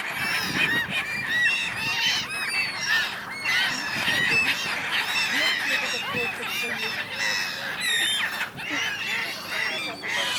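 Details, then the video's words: Noisy gathering of gulls quarrelling on the Dnipro River in Kyiv, Ukraine, during January; a thick, unbroken chorus of high, shrill calls from numerous birds. "Many Seagulls."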